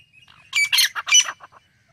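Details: Female francolin calling: a brief series of five or six harsh, scratchy notes, loudest in the middle and then tapering into two soft final notes, with little background sound.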